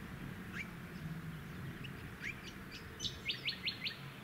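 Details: Male rainbow bee-eater perched on power lines in a suburban area of Tin Can Bay, Queensland, September 2017: scattered high chirps, then a quick series of four sharp trilled calls, over a low suburban hum and wind.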